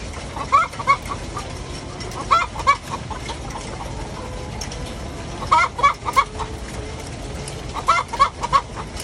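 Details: Hen calling after laying an egg: loud bursts of sharp, rising squawks in groups of two or three, repeated every couple of seconds, over a steady background hum.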